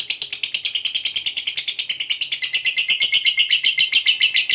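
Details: Long ngekek of a gacor fighter lovebird, meant to provoke a rival. A dense, high, buzzy trill of quick pulses at roughly two to three per second continues unbroken throughout.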